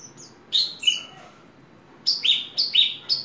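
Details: A hobby-kept Horsfield's bush lark wearing a ring sings high chirping notes, a short pause, then a quick series of four or five bright downslurred phrases in rapid succession.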